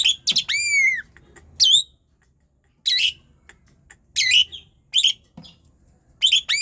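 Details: Gacor song of an Asian pied starling meant to spur sluggish birds into singing: an opening falling whistle followed by short, scattered buzzy chirps and chattering notes separated by silences.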